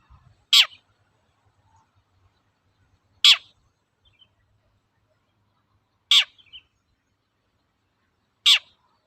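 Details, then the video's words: Long-tailed shrike in 'toet-toet' lure song for coaxing birds to sing: four piercing, steeply falling notes at uneven intervals of about two to three seconds, in near silence. "BURUNG CENDET GACOR TOET-TOET, PANCINGAN AMPUH SAAT INI"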